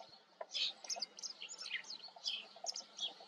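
A white wagtail gives a run of sharp, high twittering chirps, several notes a second, with faint low rustling beneath.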